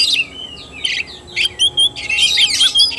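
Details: Oriental magpie-robin, kacer tarung or fighting-style singing, 17 August 2021: scattered bright whistles and short chirps, then a dense burst of rich warbling and rapid notes toward the end, low hum in background.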